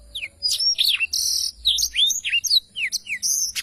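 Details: Black-throated canary in energetic song, recorded as a training tutor for songbirds; sweeping whistles, dropping slurs and flat buzzy bursts alternate in a varied, fast-paced phrase.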